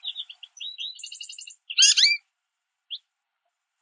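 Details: American goldfinches in a small group at backyard bird feeders, pulling sunflower seeds from a mesh feeder: a run of high twittering notes, then a loud burst of tangled rising chirps and a few short later notes.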